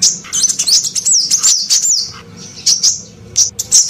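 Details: Female sunbird lure call aimed at males: a dense run of piercing, looping slurred notes, then sparser high chips over a soft low rumble.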